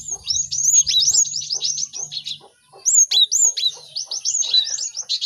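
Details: Cinereous tits in a crowded chorus played for caged birds to learn song quickly; strings of high, rapidly repeated downslurred notes in two long runs split by a brief pause, faint low hum early on.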